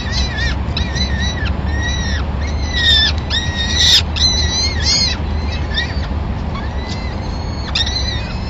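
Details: At a Madrid nest on 26 April 2016, peregrine falcon chicks are fed their first meal, a small bird brought by the male: strident, arched calls repeated about once a second over heavy urban background hum.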